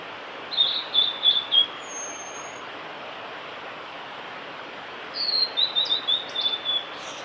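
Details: Blue-and-white flycatcher, a male, in song at Lake Miyagase's Kanazawa forest road, Japan, 5 May 2018; a bright whistled phrase of four or five notes, a long gap, then a longer run of rapid sliding whistles, with constant hiss behind.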